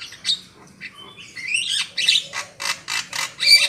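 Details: Black-winged myna lure call used for bird trapping: harsh, scratchy squawks, then a run of five evenly spaced broadband rasping notes near the end.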